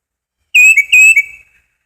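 Tufted Titmouse giving two clear whistled phrases, each a high note dropping to a lower one, peter-peter style, about half a second apart; nothing else heard.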